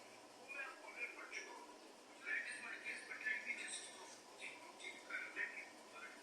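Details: Budgerigars singing, a soft chattering warble of scratchy, buzzy notes and short whistles in irregular bursts, swelling louder in the middle and toward the end, quiet and slightly distant indoors.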